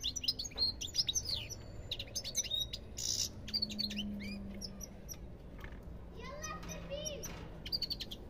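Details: Goldfinch singing a fast jumble of bright tinkling notes, buzzy twitters and upswept chirps, then sparser phrases with a few rising whistles toward the end, over a steady low hum.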